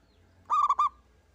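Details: Single zebra dove of a local strain (perkutut lokal), singing to prompt others: one quick phrase of three hollow, bubbling coo notes at steady pitch, less than half a second long, followed by a soft fading tail.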